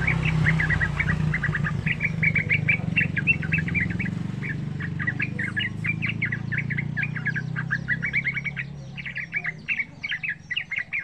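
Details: Trucukan, the yellow-vented bulbul, giving a rapid lure song for other young bulbuls: quick repeated chirps about three per second, masked at first by loud low traffic rumble that fades near the end.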